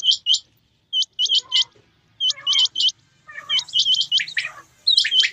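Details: Male and female quail in rainy weather produce sharp, high hooked chirps in tight groups of two to four, with a dense, rougher scratchy burst toward the end.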